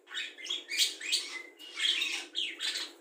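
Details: Budgerigar singing a rich mimicry song that includes imitations of other birds, including the red-whiskered bulbul, the Javan white-eye, the laughing call of a lovebird and fighting sparrows; dense chattering warble of scratchy notes and short whistles in overlapping bursts.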